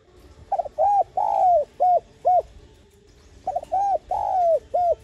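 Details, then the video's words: Spotted dove, used as a lure to stimulate cage birds into cooing: two matching phrases of five low, hooting coos, the third note longest and drooping, phrases about three seconds apart, over a faint low hum. "Tiếng cu gáy GIỌNG CỰC HAY Bài Bản Gọi Kích Thích Bổi Nhanh Nổi/Cu Đất Gáy Kích Mồi Tập Bổi hiệu quả"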